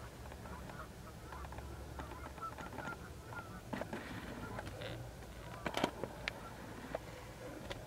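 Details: Canada geese taking off at dusk, 17 September 2014, recorded from a car: scattered nasal honks over a steady low rumble, with sharp splashes or wingbeats breaking through near the end.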